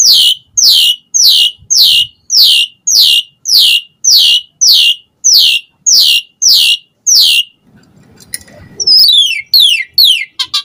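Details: Asian pied starling lure song to make other starlings answer: a steady run of about thirteen loud, harsh, descending buzzy notes, then a pause and a quick series of squeaky sweeps.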